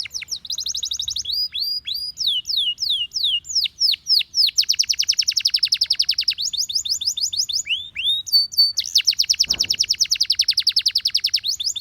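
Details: A canary, described as a Gloster canary, sings a loud, continuous song of rapid rolling trills and sweeping whistled notes, high-pitched and shifting from one tour to the next.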